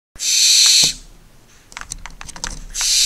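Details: Four barn owl chicks on a nest camera, 2 September 2019, give long, harsh, breathy hisses, each nearly a second, separated by a spell of soft clicks and tapping.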